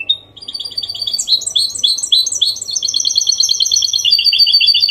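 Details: Clean Málaga-copy song from a goldfinch hybrid, meant to get males singing and help chicks learn it: a continuous, lively run of high, tinkling twitters and buzzy trills that grows louder throughout.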